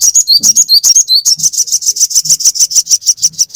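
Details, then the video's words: Sogon singing in a fast, energetic series, used to train captive birds: high, sharp notes with brief upward and downward slides, then a long string of rapid identical chips, about three per second, with faint low thumps. "Pancingan sogon gacor full ngoceh, Masteran burung sogon agar cepat ngalas langsung gacor nyamber"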